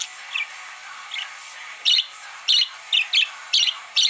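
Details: A pet parakeet sings and dances, headbanging along to the Foo Fighters' "Monkey Wrench", giving bright, high chirps in short bursts over the loud rock music.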